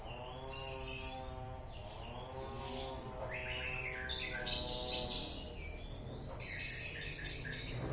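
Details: White-rumped shama (murai batu) from East Aceh sings high whistles and buzzy notes in several bursts, mixed with a prominent droning, harmonic-rich hum.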